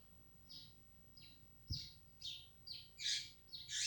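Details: Yellow-bellied seedeater labelled 'flecha negra', heard faintly: a series of short high slurred chips roughly every half second, getting louder and harsher toward the end, over a steady low background hiss and a single thump.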